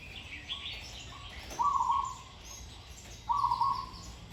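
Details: Caged Zebra dove in training, a lone bird hung up in trees, said to have a sweet voice and good phrasing: two short rolling coo phrases about two seconds apart, soft background chirping from other birds.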